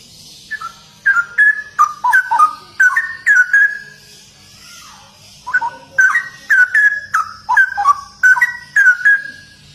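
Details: Energetic 'ropel' song of a straw-headed bulbul (cucak rowo): two long runs of loud, clear, gurgling whistles, each note sharply attacked and quickly repeated, split by a brief quiet gap.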